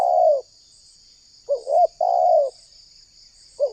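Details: Spotted dove lure call for trapping wild doves. A long, mellow, falling coo is followed after a pause by a short wavering note and another drawn-out coo. A constant high insect-like hiss runs throughout.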